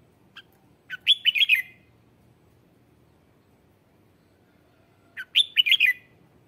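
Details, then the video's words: Lure song of a red-whiskered bulbul, used to call in wild birds: two brief phrases of quick, bright whistled slurs about four seconds apart, each opened by a soft note, over a quiet background. "Tiếng chào mào mồi hót gọi bổi má trắng, kích bổi sổ bọng hót căng lửa"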